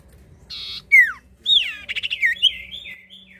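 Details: Lure recording of a common iora singing to prompt other birds: a short buzz, a falling whistle, then a fast jumble of slurred and trilled notes fading out.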